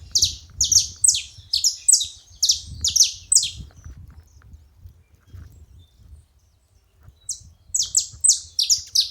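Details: At a feeding spot, saffron finches give bursts of high, clipped, down-slurred chips about twice a second, then fall quiet for several seconds before another quick run of notes, with a soft low background hum.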